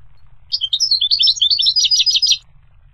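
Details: Goldfinch singing a quick, liquid twitter of high chirps that speeds into a buzzy trill, about two seconds of steady song.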